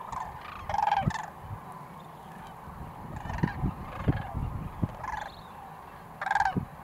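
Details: Sandhill cranes in Nebraska, 2019: two brief rolling, rattled calls, near the start and again near the end, with harmonics, separated by a long stretch of low rumbling background noise and scattered thumps.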